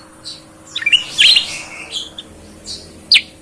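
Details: Kept sooty-headed bulbul singing actively with a clear voice, said to resemble a cucak ijo: bright, sharp chirps and quick high twittering notes over a steady background hum.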